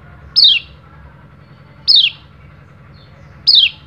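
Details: Oriental white-eye male calling to a rival, kept to stimulate other birds into singing; three clear downslurred high whistles spaced roughly one and a half seconds apart, low background hum.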